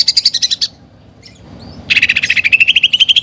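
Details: Greater green leafbird in steady song packed with imitated sparrow-fight and woodpecker phrases. A fast run of high chirps breaks off, then a new rapid pulsed trill starts lower and climbs steadily.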